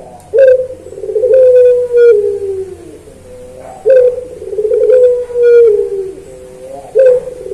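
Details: Puter pelung turtle dove, training recording for songbirds: low coo phrases repeated roughly every three seconds, each a sharp onset followed by a long, gradually falling hum, with faint clicks.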